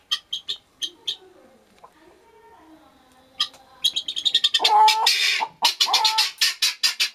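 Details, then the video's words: Guineafowl making sounds: bursts of sharp, grating notes, a quieter lower stretch, then a loud fast run of harsh repeated calls with a buzzy drawn-out note in the middle. "Guinea hen making sounds"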